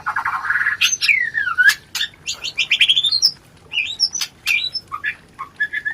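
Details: White-rumped shama, a lure recording to spur breeding; a buzzy opening note, then a swooping whistle and a quick rising series of whistled notes, with clicks and short calls after it.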